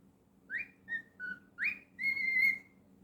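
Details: Pet cockatiel whistling a clean phrase: rising note, level note, slightly lower note, another rising note, then a long steady whistle held about half a second.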